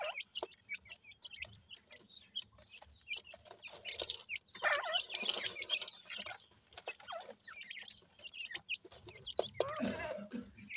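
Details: Grey francolin (teetar) chicks being fed and cared for: short, high, rising chirps scattered among loud clicks, rustling and handling noise.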